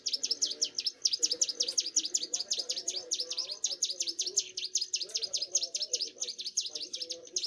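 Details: Energetic song of a young Bar-winged prinia: a long, unbroken run of rapid, high, metallic chips, each dipping and rising, repeated several times a second for over seven seconds, with soft low murmuring underneath.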